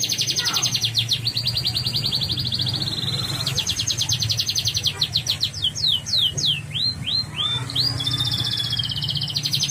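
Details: Yellow canary singing a sweet song: long fast trills of rapid repeated notes, a steady rolling trill, then a run of separate downward-sweeping whistled notes, and a final trill; low steady hum underneath.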